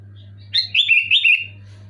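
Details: Loud, clear phrase from a Sooty-headed bulbul: a rolling, bubbly run of linked whistled notes lasting under a second, ending slightly lower, with a faint steady hum behind.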